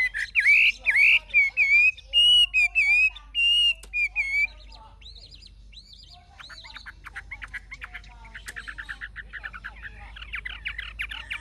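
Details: Mature wild-caught Chinese hwamei in a cage, singing its forest-type song: strong, clear whistled phrases repeated several times, then softer, jumbled chattering and dense rapid notes fading into quieter twittering.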